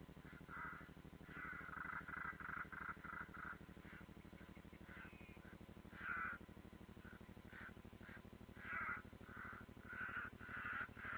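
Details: European roller at the nest in the Ādaži military training ground, Latvia, recorded 30 June 2016 from a live nest camera: harsh croaking calls repeated in bursts around a steady low hum, louder groups near six and nine seconds.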